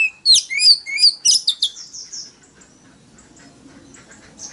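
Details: Oriental magpie-robin singing loudly in a forest-style voice meant to lure rivals into competitive song. About a second and a half of quick, bright, swooping whistles is followed by quiet, with only faint distant chirps remaining.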